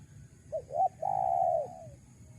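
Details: Spotted dove coo from a lure recording for wild doves. Two quick rising notes precede one long, mellow, gently falling coo that tails away, with only soft background rumble.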